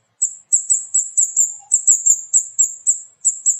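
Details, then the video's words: Flowerpecker, known locally as kemade or cabai, a small songbird of village mango trees carrying parasitic mistletoe; loud, very high, sharp 'cit cit' notes repeated in a steady series, about thirteen in under four seconds, with no other sounds. "Burung Kemade Gacor Cit Cit || Pancingan Burung Cabai Gacor"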